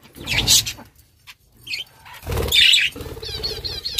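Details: Budgerigar chirps come in scattered bursts: a loud squeaky call at the start, a lone short note after a quiet gap, then a harsh squawk over a dull thump, followed by quick wavering warbled notes.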